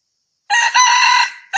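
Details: Red junglefowl crow used as a lure call: a short, hoarse, rooster-like crow with one rising then level phrase cut off abruptly, and a second crow just starting.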